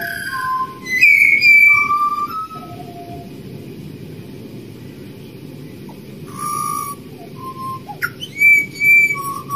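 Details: Wild Australian pied butcherbird singing, a species that mimics other birds: pure fluting whistles at several pitches, a mid-clip pause of near silence, then further clear, slurred whistled phrases over low background rumble.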